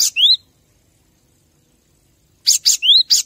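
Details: Cinereous tit singing, a recording meant for training captive birds: a short rising whistled slur, a long silence, then a rapid group of high chips and another upslurred whistle.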